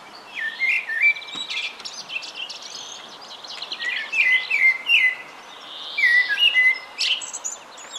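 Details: Common blackbird singing calmly from the top of a pine on a spring evening: short fluty whistled phrases sliding around the middle range, broken by higher twittering flourishes, with other small birds chirping in the background.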